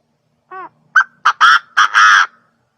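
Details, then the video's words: A quail gives a short, gentle harmonic note, then a rapid run of rough, buzzy, crow-like bursts ending in a drawn-out rasping note, with a faint low hum in the background. "เสียงนกกระทา quail sounds"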